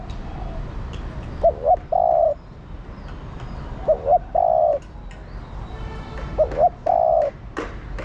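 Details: Female spotted dove calling the male, repeating a low three-part phrase three times: two clipped hoots, then a sustained coo. Faint clicks sound in the background.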